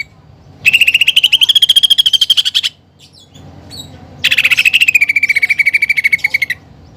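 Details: Greater green leafbird singing energetically with mimicked fighting sparrow and pelatuk bawang material: two bursts of quick, evenly repeated chattering notes, the first gently rising, the second easing downward, with a quiet gap between them.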